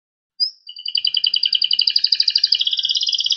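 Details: Panda-coloured Loper-type canary singing actively in the dense cengkok rapat style: a thin rising whistle, then a fast, even trill of sharp high notes that quickens and splits into two parallel pulsing lines.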